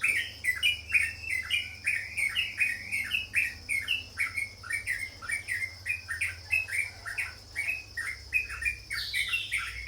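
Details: Sooty-headed bulbul singing: a lively string of short, bubbly whistled phrases in the middle range, repeated about twice a second. A steady hum runs underneath, and a higher phrase comes at the end.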